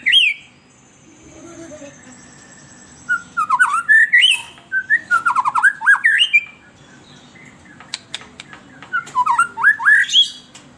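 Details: White-rumped shama in an emotional state, its sweet song serving as a lure for captive shamas. Repeated fast bursts of rich, undulating whistles and harsh squawky notes are broken by short pauses and sharp clicks.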